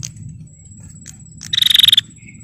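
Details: Calling female bar-winged prinia, used to provoke males. One strong, high, rattling burst of about ten quick pulses lasts half a second, with a faint high whine and low rumble behind.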